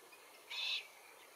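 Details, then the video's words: Glossy Black-Cockatoo, Calyptorhynchus lathami lathami, in Capertee Valley among Allocasuarina verticillata feed trees. A single brief, rasping harmonic call stands out against quiet background hiss. "Glossy Black-Cockatoos in Capertee Valley - Includes calls and feed tree identification"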